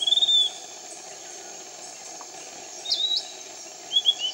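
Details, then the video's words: Piratic flycatcher near Iquitos, Peru, a canopy bird: three short high whistled calls spaced over four seconds, the middle one rising then falling, against a constant insect drone. "Piratic Flycatcher 01 - Iquitos, Peru."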